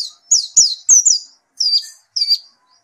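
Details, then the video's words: White-eye after therapy sings a brief run of high falling whistles, quick and sharp at first, then two softer, slightly lower drawn-out notes. "Gila nie pleci setelah diterapi gacor terus"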